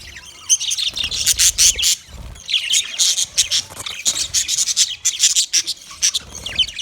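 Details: Budgerigar song: loud, busy stream of scratchy chirps and squeaky notes in quick bursts, rising and falling in intensity with short pauses.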